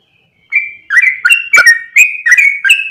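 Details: Yellow-vented bulbul calling as a lure for other bulbuls: silence, then a run of rich, warbled two-tone whistles, each dropping from a higher to a lower note, in an even, bouncy rhythm.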